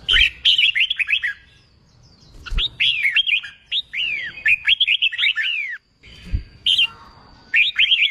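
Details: Red-whiskered bulbul song for training newly caught birds to sing in contests: repeated bursts of quick, liquid whistled notes swooping up and down, with short gaps between phrases and a faint steady high tone.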